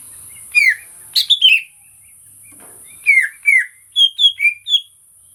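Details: Greater green leafbird, recorded live for a training recording meant to stir other caged birds into singing: varied clear whistled and slurred notes, short phrases with pauses, some falling downslurs and rapid paired chirps, with steady high hiss throughout.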